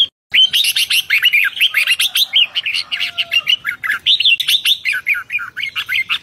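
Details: Red-whiskered bulbul singing excitedly in the fast 'rik' manner, 2023: after a brief silent start, a tight torrent of clear whistled and chirped notes, rapidly rising and falling, with phrases overlapping and running together.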